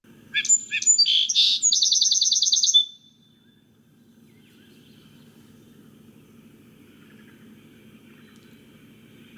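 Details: Song sparrow; song; attracting a mate during nesting season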